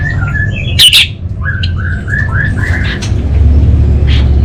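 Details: Orange-headed thrush from Singaraja, North Bali, singing in captivity: a series of clear, down-slurred whistled notes in a mid-high register, each repeated with slight pitch shifts, plus one harsh squeak and low background hum.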